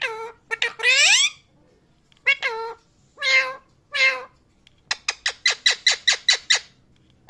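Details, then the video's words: Pet parrot giving loud harmonic squawking chirps: a few drawn-out rising calls, then a quick run of about a dozen short, sharp chirps in a steady series near the end. "Parrot loud chirping sound"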